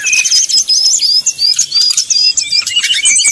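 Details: Brown-chested jungle flycatcher singing 'nyuling', used to stir rival birds into singing. A series of clear, short high whistled notes repeats at a quick pace over a faint chattering background.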